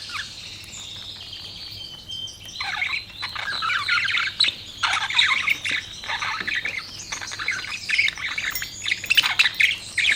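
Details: Budgerigars chirping in a continuous stream of harsh, squawky warbles and rapid chattering notes, growing busier and louder after the first few seconds.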